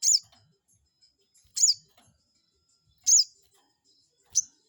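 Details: Crested jay call used as a lure to anger a rival bird: four sharp, high, downward-swept notes spaced roughly one and a half seconds apart, with a quiet background.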